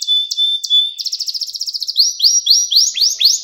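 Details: Domestic canary song for tutoring young birds: a steady thin whistle with sharp chips, then a quick pulsing trill, shifting into slower repeated upward-sweeping notes about four per second.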